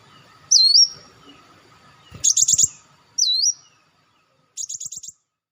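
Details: Olive-backed sunbird sounds used as a bird lure: high hooked whistles ending in a held tone, alternating with fast buzzy trilled bursts of five or six notes, in four separate phrases.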